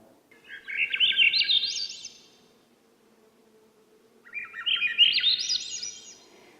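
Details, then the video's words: A male Swainson's thrush sings two flute-like phrases in spring after the females arrive, each spiralling upward over about a second and a half with a pause between. The species is secretive, singing early morning and evening. Faint low hum. "And then that beautiful upward spiral of a song."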